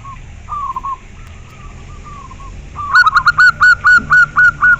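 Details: A local Zebra dove gives soft, drawn-out low coos before launching into a loud, steady run of bouncy, clipped cooing notes, about four a second.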